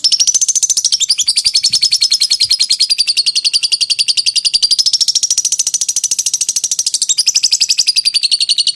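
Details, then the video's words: Unbroken ngekek trill from a lovebird, recorded for training: a shrill, steady machine-gun chatter of very fast, even pulses sustained for nearly nine seconds with only slight wavering in tone. "Suara jernih burung lovebird ngekek panjang"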